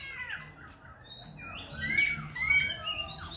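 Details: Khe Sanh laughingthrush singing continuously with shifting voice, a run of varied whistled and slurred phrases, some rising and falling, rich and musical, with brief quieter gaps between bursts.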